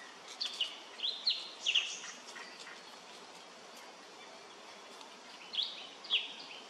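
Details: Male Indochinese blue flycatcher, Cyornis sumatrensis, at Khao Yoi arboretum, Phetchaburi, Thailand, 13 May 2023: a few short, high chip-like notes in two loose bursts, separated by a quiet gap, over a faint steady background hiss.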